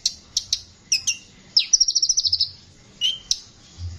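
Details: Konin singing in a rough voice, used as a training recording for songbirds: sharp high chirps, then a fast rattling series of about ten notes, followed by a lower whistled note and more chirps.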